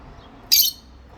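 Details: One of two pet rosy-faced lovebirds gives one shrill, harsh chirp, a brief high screech lasting about a fifth of a second against a quiet background.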